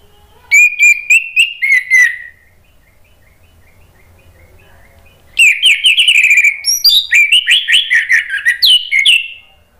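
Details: Lure recording of an orange-headed thrush meant to get a reluctant bird singing: a burst of six ringing whistles, a quiet pause, then a long rapid stream of rich, varied whistled notes.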